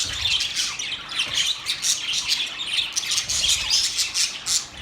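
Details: Singing budgerigars produce rapid scratchy chirps and squawks in pulsing bursts, a busy high-pitched chatter from several birds.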